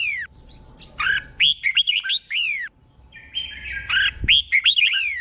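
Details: Thai caged red-whiskered bulbul giving tutor song for training, doubled style: a falling whistle, then a fast tumbling phrase of bright notes and another downslur, repeated after a pause with a faint buzzy tone and a brief knock.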